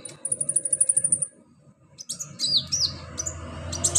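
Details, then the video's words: A rapid even series of very high ticking notes runs about a second. After a pause come squeaky slurred chirps and short bursts. The bird is an olive-backed sunbird (konin), recorded for song therapy. Low hum underneath. "NGETREN TERAPI KONIN GACOR 2023 full roll rapat tembakan pedas"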